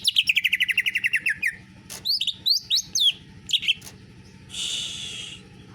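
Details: Greater green leafbird singing canary-style material: a quick run of bright repeated notes slipping gradually lower, then scattered rising chirps and sharp upslurs, ending with a short buzzy burst.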